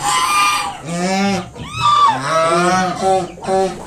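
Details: Mother swan warning off a person near her five newly hatched cygnets, giving loud nasal honks in a steady series of about six notes, some drawn out, others clipped, with barely a pause between.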